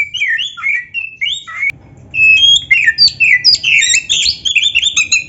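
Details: Black-breasted Oriental magpie-robin in continuous full song, a training recording meant to stir other birds to sing: rich, rapid whistles mixed with scratchy harsh notes, briefly breaking off before resuming even denser and louder.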